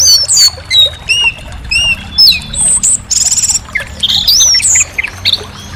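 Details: Orange-headed thrush song of separate clear whistles and slurs, with a fast, buzzy, rattling trill near the middle and twittering phrases afterward.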